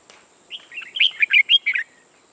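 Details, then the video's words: Red-whiskered bulbul, a new decoy bird used for trapping, singing a lively phrase of clear whistled and warbled notes, rising and falling, about 1.3 seconds long, with a steady faint high hum behind. "Bẫy chào mào Mồi mới ché ngất người"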